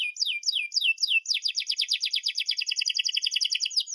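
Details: Canary with a long, sharp song, used as a model for young canaries learning to sing: several separate downslurred whistles, then a fast continuous rolling trill of bright repeated notes.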